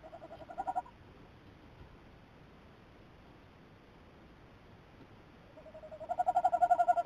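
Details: Tawny owl calling on camera 2 on 17 December 2018: a low, quavering run of rapid pulsed notes, then a long quiet gap with steady background hiss, and the tremulous call building again louder at the end.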